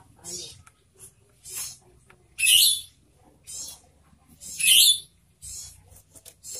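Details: Spotted owlet, a kept bird, giving loud harsh hissing screeches in short bursts about every one to two seconds, with faint softer chirps between them and a low background hum.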